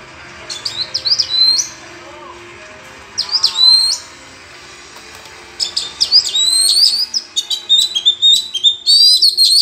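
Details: Song duel among wild Oriental magpie-robins in forest: short whistled phrases with gaps, then a dense, fast stream of sharp high notes and trills.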